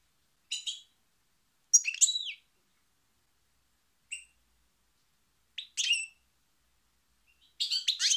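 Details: European goldfinch singing in short, scattered bursts: thin, bright twittering notes and buzzy chirps separated by pauses of a second or more, ending in a denser tinkling phrase.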